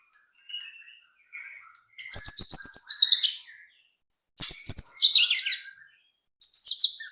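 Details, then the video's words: White-rumped shama song used to provoke other birds to sing: soft low notes, then loud, dense, high chattering bursts with clicking sounds, three bursts in all. "pancingan AMPUH murai batu agar cepat bunyi"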